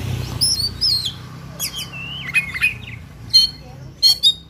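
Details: Oriental magpie-robin in fighting mood, singing a varied song packed with fill phrases: high whistled slurs, then a sliding whistle, followed by short buzzy rattling bursts near the end.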